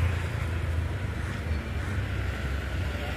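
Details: A constant low engine rumble, like a passing vehicle or boat, fills the recording with a faint hiss above it.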